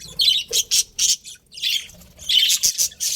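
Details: Short, harsh squawky chirps from budgies come in separate bursts, with a brief lull near the middle before denser chatter resumes.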